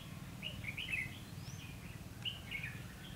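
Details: Red-whiskered bulbul, recorded while being trapped on 19 January 2016, gives two bursts of bright, rapid, warbled whistles with a thin rising note between them, over constant low background rumble.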